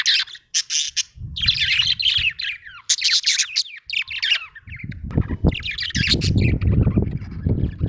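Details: Budgie described as happy, chattering in scratchy warbled phrases and chirps separated by short gaps, with low rumbling noise growing louder toward the end.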